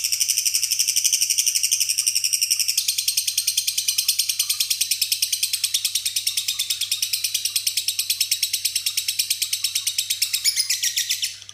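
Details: Lovebird ngekek, a caged bird that lifts one foot while singing, its song filled with borrowed phrases from other birds such as sparrows. A long, unbroken, rapid chattering trill of high, harsh, evenly pulsed notes runs nearly eleven seconds before stopping.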